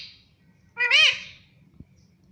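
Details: Pet Indian ringneck parakeet talking indoors, said to be asking for roti: one loud, harsh, rising-then-falling squawked syllable with rich harmonics, lasting under a second, then only a faint low hum.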